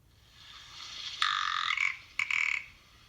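A ptarmigan gives two harsh, rasping croaks, a longer one then a shorter one half a second later, rather frog-like. Nothing else stands out.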